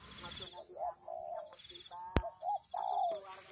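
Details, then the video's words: Spotted dove cooing in a bird-luring recording: mellow low coos, some long and some short paired notes, over a steady high hum with a sharp click near the middle. "Pikat Tekukur"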